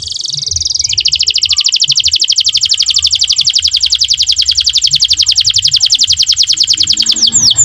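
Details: Canary singing energetically with rich melodic variations, used as a tutor and prompting song for young canaries learning to sing; a buzzy high trill opens into a long, rapid, evenly pulsed roll lasting about six seconds, ending in sweeping whistled notes.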